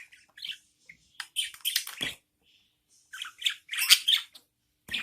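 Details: Budgerigar chicks, newborn, begging as their mother feeds them: two clusters of gritty, buzzy chirps separated by a second of quiet, with a final single call.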